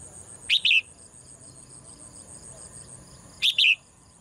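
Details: Female bird in a cage, singing as it does every morning, gives two sharp doubled chirps about three seconds apart against a constant thin high hiss.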